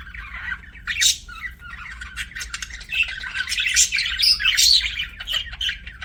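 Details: Budgies chirping loudly: harsh squawky chatter and bright, piercing chirps building into a dense, continuous warble, low hum in the background.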